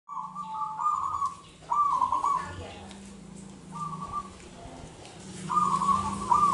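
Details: Wild local Indonesian zebra dove singing vigorously, recorded as a lure for other doves: mid-pitched trilled coo phrases in short bursts separated by pauses, with low hum and faint background noise.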